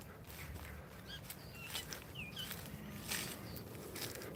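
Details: A great tit in a tree gives thin, high-pitched call notes over footsteps and outdoor rustling on a walk near water where a heron waits.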